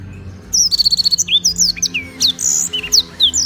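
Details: Black-throated canary in Gianyar, Bali, in daily full song for tutoring: opens with a quick rattling trill, followed by bright rising and falling whistles and chips packed closely together over low steady hum.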